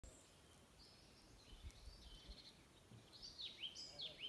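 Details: Birds in forest at Tazekka National Park near Taza, Morocco: faint, high chirps and thin whistled notes, sparse at first and then quicker, short descending twitters, over quiet background hiss.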